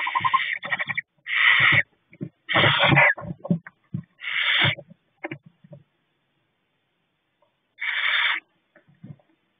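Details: Harsh hissing bursts from two owlets calling to each other in a nest box at night while the female is briefly outside. Rough, noisy calls about half a second long repeat irregularly, with soft low thumps and rustles between them.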